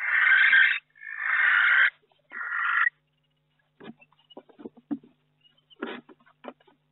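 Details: Barn owl in a nest box in May, one week in, with a second egg hatched and two still to go: three long, harsh, hissing screeches, each about a second. These are followed by soft scratching and tapping movements inside the box.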